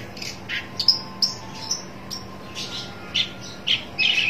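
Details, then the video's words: Shrike seeking a rival, uttering sparse, separate notes: thin high whistles and short harsh bursts spaced about half a second apart. "burung pentet cari lawan"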